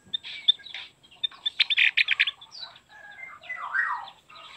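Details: Javan grey-throated white-eye song, used to lure wild birds and train caged birds: a varied run of sharp chirps and buzzy notes, a dense twittering burst in the middle, then slurred descending whistles.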